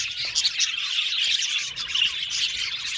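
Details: Many budgerigars in a colony aviary chirp over one another, producing dense high chatter punctuated by short bright whistles and a few louder chips.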